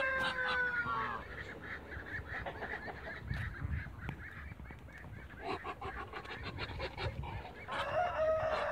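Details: Two male waterbirds and one female meet with a strong falling honk, then a scattered run of softer nasal notes, and a rising loud honk at the close.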